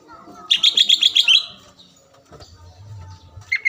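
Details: Greater green leafbird (cucak ijo) lure sound to make a rival sing: a one-second trill of about eight evenly repeated high whistled notes, then quiet and a brief final whistle.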